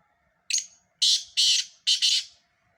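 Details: One full call phrase from a black francolin, a clipped lead-in note followed by three harsh, scraping notes of about a third of a second each, the closing one doubled.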